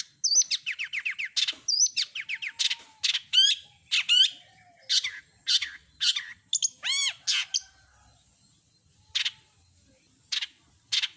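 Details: Long-tailed shrike delivering a rich mimicked medley: rapid trilled phrases, looping whistles, fast ringing rattles and a bubbling burst, then sparser harsh scratchy notes toward the end.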